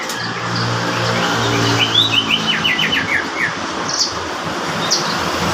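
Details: Crested lark song: a short run of clear whistled and trilled notes around two to four seconds in, rising then falling, over steady low engine hum and faint other chirps.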